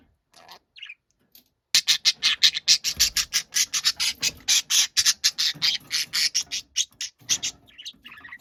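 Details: Pet budgerigar shouting angrily: a few short notes, then a long, loud burst of harsh, grating squawks fired in rapid succession, several per second, for about seven seconds.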